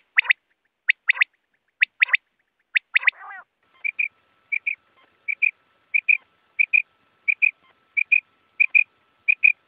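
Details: Quail calls of the kind used to lure wild birds into nets: five sharp triple-note chirps in quick succession, then a steady run of soft paired whistles repeated about twice a second.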